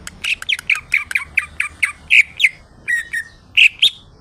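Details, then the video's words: Greater green leafbird (cucak ijo), a kept bird in full song: a quick run of sharp, rising chirped whistles, about a dozen notes in four seconds, some louder slurred notes near the end. "CUCAK IJO !!! Gacor Rawatan Lolohan part II"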